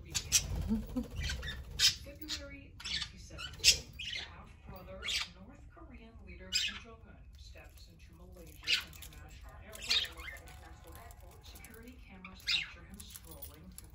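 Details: Pet parakeets playing together indoors: a busy run of sharp, scratchy squawks and warbling chatter, bursts coming every second or so, with a low room hum underneath.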